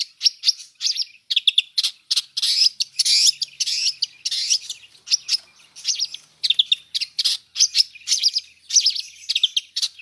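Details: Long-tailed shrike in a full mixed fill-in song, a dense, continuous jumble of scratchy chatter, high twitters and short whistled notes.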